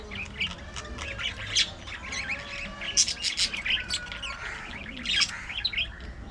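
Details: In an aviary colony, budgerigars keep up a continuous warbling chatter of squeaky, wavering chirps and short squawks from many birds at once.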